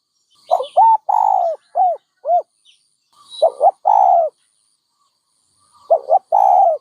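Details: Dove cooing steadily: a series of low, rounded notes and drawn-out coos, then the pattern of two short notes and one long coo repeated after a pause.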